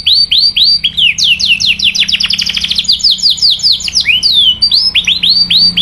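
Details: Canary delivering 'cuit cuit' song to provoke rival canaries into singing: clear descending whistled notes in fast series, briefly accelerating into a dense trill, then resuming in short runs of bright chirps.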